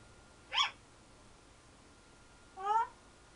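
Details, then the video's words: A 10-year-old pet African grey parrot kept indoors, giving two short harmonic squawks about two seconds apart, the second a slightly rising, ringing note, over a steady electrical hum. "Bemer the African Grey Talking/Sound Effects"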